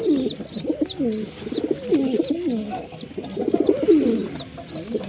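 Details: A busy chorus of pigeons coos in deep, wobbling phrases, accompanied by a regularly repeated high thin whistle.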